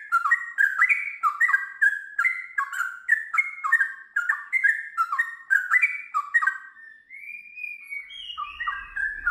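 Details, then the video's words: Trucukan (sooty-headed bulbul) sings in a long ngiwir-then-ropel run: rapid bubbly warbling notes in steady quick succession, then a clear rising-falling whistle and a few final notes over a faint low rumble. "TRUCUKAN GACOR ngiwir lanjut ROPEL PANJANG"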